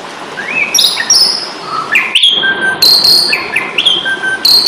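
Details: Combative song of an Asian pied starling, recorded as tutor material for caged birds: rising whistled slurs, harsh scratchy bursts, then high sustained whistles and short rising phrases repeated near the end.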